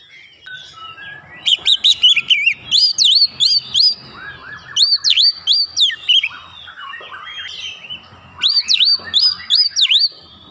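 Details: Oriental magpie-robin stirred up by a lure recording, insistently showing off its fill-in repertoire in three bursts of rapid swooping whistles separated by brief pauses, over a faint low hum.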